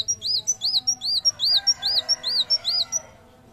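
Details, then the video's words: Vigorous Van Hasselt's sunbird song for training and luring birds: steady run of high arched, looping notes alternating with thin sharp ticks, roughly three to four per second, ending abruptly. "Kolibri Wulung Gacor ! Masteran sekaligus pancingan bunyi"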